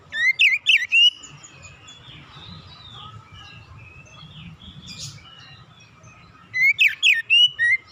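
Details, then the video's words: Oriental magpie-robin (kacer), an untrained 'bahan' bird, singing relaxed song used as a lure to get other birds singing: bursts of loud, sweeping whistled and chattering notes at the start and again near the end, with a quiet gap and low hum between. "kicauan nyantai pancingan ampuh Kacer bahan cepat gacor"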